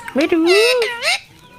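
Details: Talking parrot kept as a pet, mimicking human speech: one drawn-out, tonal, voice-like utterance with wavering pitch, about a second long, against faint background noise.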